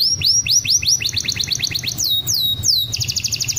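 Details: Champion canary song used as a training recording for other birds: a rapid, continuous run of high, rising whistled notes, then repeated falling sweeps and a fast, even trill at the end.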